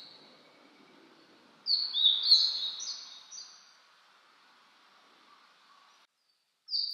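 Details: Blue-and-white flycatcher singing in mountain woods in spring 2022, on a cool, cloudy 14°C day after rain. It gives a bright phrase of clear, high whistles that slide downward and end in softer trailing notes. After some silence, the next phrase begins.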